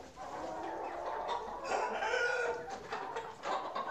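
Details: Chickens on a farm, heard during a short walk around it: a flock clucking and calling over one another in a steady, busy chorus, with a louder drawn-out call near the middle.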